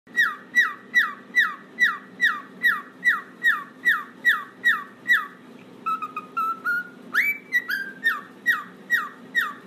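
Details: Cockatiel whistling song, a pet bird recording used for training birds to whistle: a clear whistled note falling from high to mid pitch, repeated about twice a second, broken midway by a short warbled phrase and a sharp rising whistle.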